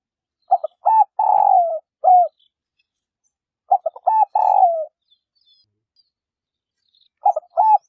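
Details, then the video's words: Female spotted dove cooing to stimulate males to coo: a clipped phrase of two or three short hoots followed by a longer, slightly falling coo, repeated about every three seconds, clean with no background sounds. "Tiếng cu mái gáy cực hay siêu kích bổi mới nhất | chim cu gáy mái thúc bổi kích trống gáy hiệu quả"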